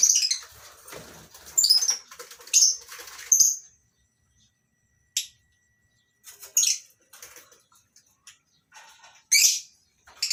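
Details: Morning in a mini aviary at a lovebird breeding farm, colony-kept lovebirds of several kinds: harsh, high screechy chirps come in short bursts separated by quiet gaps, with wing flutters among them.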